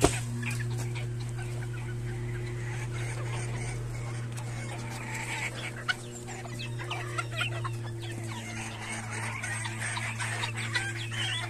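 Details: Bantam chickens fed flatbread softened in water, going wild and squabbling over the treat; busy overlapping clucks and short squawks throughout, with a steady low mechanical hum underneath.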